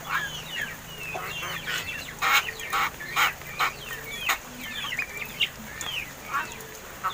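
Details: Myna, about 7 months old, captive and already learning to talk, chatters in a rapid jumble of whistled slurs, squawks and harsh clicks, several bursts a second, over a steady background hum.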